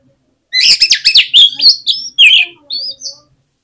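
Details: Oriental magpie-robin lure song for stirring other magpie-robins into full song: a fast, loud run of harsh, scratchy notes followed by bright rising and falling whistles, ending in a soft, high whistle.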